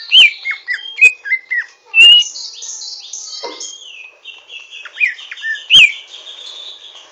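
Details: Rough learning twitter of a Greater green leafbird: quick downslurred whistled chirps in a string, then a continuous scratchy high chatter with a few sharp whistles.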